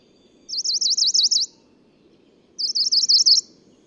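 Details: ['Singing male Tokara leaf warbler, a newly described species, on Nakanoshima in the Tokara Islands, Kagoshima, Japan, 11 June 2017: two high, rapid trills of about six zigzag notes each, roughly a second long, separated by a pause, over a low steady hum']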